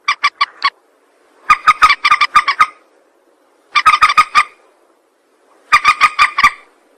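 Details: Rail lure call for trapping, given in short bursts of rapid, harsh clucking notes, four to eight per burst, separated by pauses of about a second.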